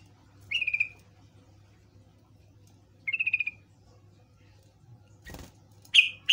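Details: Trucukan (yellow-vented bulbul) lure song meant to draw other birds into answering: three short whistled phrases, each a quick bubbly burst that slides down and trails off, spaced about two and a half seconds apart, with a soft steady hum and a thump near the end.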